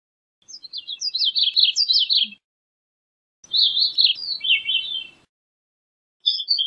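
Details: Gray-cheeked thrush in song: two high, fluty descending phrases of rapid slurred notes, each nearly two seconds long, with a faint low rustle under the second and a third phrase just beginning at the end.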